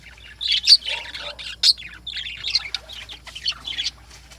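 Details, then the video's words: Lovebirds calling in the morning with rapid, shrill chirps and squeaks, about one burst per second, uneven in rhythm and fairly loud throughout. "Lovebirds || Morning Sounds"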